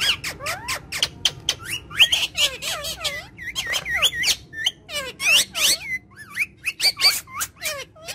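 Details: Family of talking parrots, playing and said to speak Urdu and Hindi, giving a dense run of shrill squeaks and screechy chirps with quick rising and falling sweeps, bursts following each other without pause across the recording.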